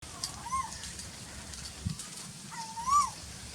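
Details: Asian koel (koyal) calling in the very hot season: two clear whistled notes, each rising then sliding down, about two seconds apart, over low rural background rumble.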